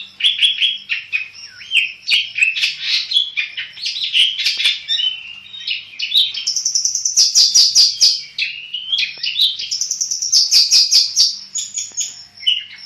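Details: Black-headed long-tailed shrike, a caged bird singing vigorously: a long, varied medley of whistled slurs, buzzy trills and high rasping notes, loud and continuous with barely a pause.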